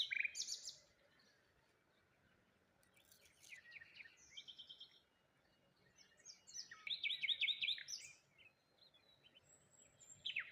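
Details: Morning birds at the water's edge near a lone tree, giving scattered high chirps and trills between quiet stretches, then a loud rapid twittering burst and a final chirp phrase.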